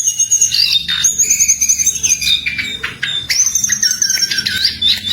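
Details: Singing wild jongkangan giving high, thin whistled trills and buzzy chirps in quick runs, with a faint low hum beneath.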